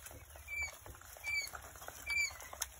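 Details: Three-day-old Coturnix quail chicks, with three thin, high, level whistled peeps spaced under a second apart over soft scratching and pattering in the background.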